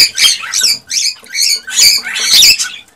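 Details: Excited male cockatiel vocalising to stimulate a female to mate: loud, harsh, buzzy squawks with broad harmonics, repeated roughly every half second in a rapid series.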